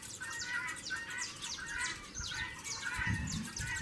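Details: Saffron finch, fired up and fighting as the breeding season approaches; dense bursts of sharp, high chirps and short downslurred notes tumble over one another, with a steady mid-pitched hum and low rumbling noise beneath.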